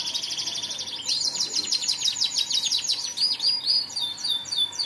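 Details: Canary pouring out a loud, high rolling trill, then a series of sweeping downslurred notes and finishing with spaced, ringing metallic chips.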